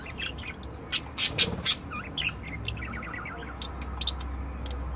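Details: Group of different budgerigars in song: a fast, dense chatter of short chirps and clicks, with a loud clustered burst early, then quick runs of small repeated warbled notes.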